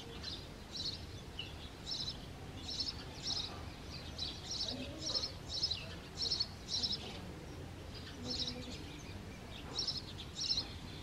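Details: A male house sparrow chirps loudly by a clay nest where a pair is breeding, calling to attract a female. Sharp high chirps follow one another roughly every half second in uneven runs over a quiet outdoor background.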